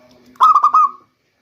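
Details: Local zebra dove singing, a lure sound for the rainy season: three quick stuttered notes running into a smooth, level, held coo lasting about half a second, over a faint low background hum.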